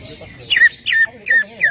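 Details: Greater green leafbird song meant to get another leafbird singing: four loud downslurred whistles, each dropping and then holding briefly, spaced about every third of a second.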